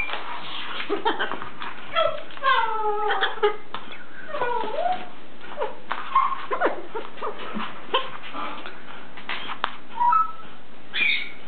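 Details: Blue-and-gold macaw kept as a pet, playing and calling: dense, almost continuous babble of bent, sliding harmonic squeaks and chatter notes, several swooping downward, with light knocks and rustles mixed in.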